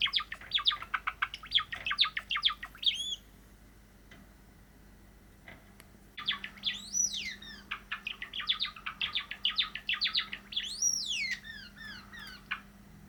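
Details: Practised song of a caged cream Java sparrow indoors: fast bursts of clicking notes with bell-like rising whistles, a quiet pause, then the same clicking-and-whistle phrase repeated, faint hum beneath.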